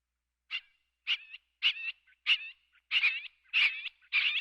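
A scaled quail gives seven harsh, nasal two-part calls, about one every half second, with a rough burst and a short trailing tail. The background is otherwise quiet.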